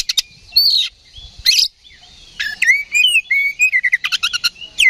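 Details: Fighting song of an oriental magpie-robin used as a lure to raise aggression: varied song with buzzy high bursts, then a run of clear, level whistles and quick repeated chirps.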